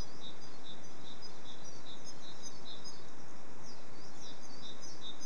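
Siskins twitter in a thin, high, continuous warble with wheezy slurred notes, over steady low rushing background noise.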